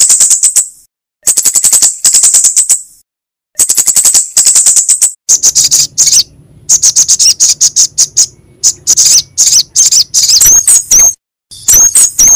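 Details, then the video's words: Sogok ontong and kemade lure recording with bursts of very high, dry rattling ticks separated by pauses, then quicker irregular chips and thin slurred whistles. "PANCINGAN SUARA SOGOK ONTONG & KEMADE GACOR"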